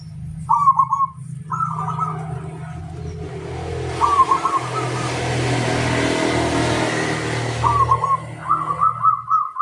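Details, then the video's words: Local zebra dove calling a rival, its short rolling cooed phrases rising above heavy traffic rumble and a broad wash of noise that masks the middle, clearer pulsed coos returning at the end. "suara burung perkutut lokal memanggil lawan"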